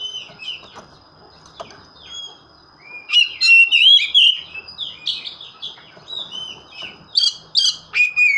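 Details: Oriental magpie-robin in full song: quiet scattered notes at first, then from about three seconds a burst of loud, rich whistles and sharp chirps, falling and rising sweeps in rapid succession, ending in short repeated phrases.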